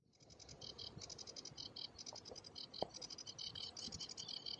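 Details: Sedge warbler on Sylt in June 2023 delivers a fast, unbroken stream of scratchy, chattering high notes, rattling along without pause, over a soft background rumble of wind.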